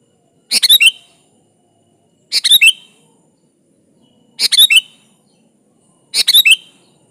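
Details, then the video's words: Sooty-headed bulbul, kutilang gacor, calling a rival: four brief, tumbling phrases of sharp chirped notes, evenly spaced about two seconds apart. "di Pancing Suara burung kutilang gacor ini Ampuh memanggil lawan"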